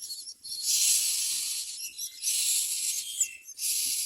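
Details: Hungry Common Myna birds at a nest, begging with harsh, hissing rasps in long bursts of about a second each, separated by short pauses.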